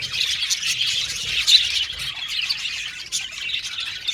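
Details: Happy budgerigars chatter in a busy chorus, with high buzzy warbles and sharp squawks overlapping, one louder squeak standing out near the middle.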